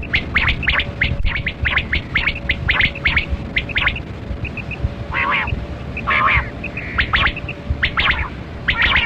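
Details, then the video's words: Kali kirak quail during a hunt, calling in fast runs of scratchy chirps, interspersed with a few lower, wavering calls and soft tonal pips, over a steady low hum. "Sound Of Kali Kirak Quail Batera"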